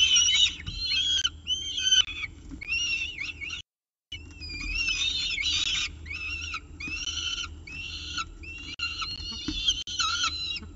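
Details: Peregrine falcon at the CSU Orange nest on the morning of 24 October 2018, feeding on a pigeon. The calling is almost continuous, with loud, harsh, stacked wails and chittering slurred notes. There is a short silent break near the middle.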